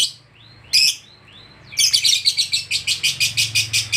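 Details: Lovebird worked up by the presence of another lovebird: a couple of thin upslurred squeaks and one harsh burst, then a rapid, evenly pulsed stream of loud, shrill chattering notes.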